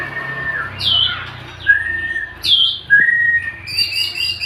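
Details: Male white-rumped shama, a stone magpie robin, giving spaced song phrases: clear level whistles and short downslurred notes separated by brief pauses, ending with a burst of higher twittering.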